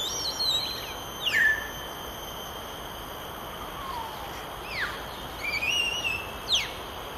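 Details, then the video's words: Common hill myna giving loud, clear whistles: sharp downslurred notes, a lower falling whistle, and a long level warble, spaced irregularly over several seconds against faint steady background hiss. "Common Hill Myna"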